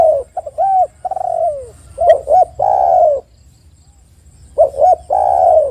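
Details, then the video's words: Spotted dove lure song: two phrases of short paired coos and long descending notes, with a brief rattle of quick clicks between them and a pause before the last phrase. "PANCINGAN TEKUKUR AGAR BUNYI dalam 1 menit TEKUKUR BAHAN dan macet ikut gacor"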